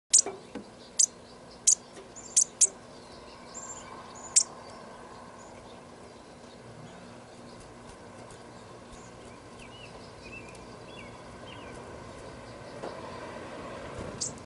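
Bushtit giving thin, very high ticking notes, loudest over the first few seconds, then fainter lisps.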